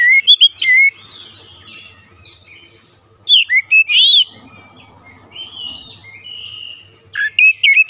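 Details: A White-rumped shama sings in three separate bursts of loud, sweet, sharply slurred whistles, with quieter chirps and a thin high whistle from other birds in the gaps.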